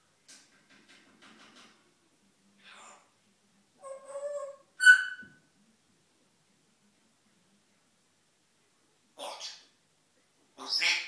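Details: Morning chatter from a male pet African grey parrot talking to himself indoors: faint clicks, a few pure whistled tones and one sharp whistle, then rough squawky syllables after a pause.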